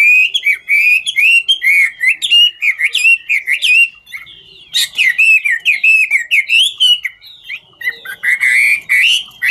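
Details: A Chinese hwamei, ngũ trường type, sings and dances, delivering continuous bright warbling whistles in quick wavering phrases, with a brief quiet pause midway.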